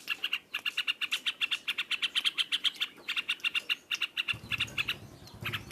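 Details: Yellow-vented bulbul delivering loud ngropol song, an unbroken stream of crisp high notes around four per second, with a low rumbling noise entering near the end.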